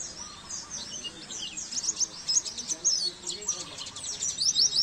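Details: Oriental white-eye song used as a training recording for caged birds: rapid high, thin twittering chirps and trills, denser and louder in the second half, over faint low background noise.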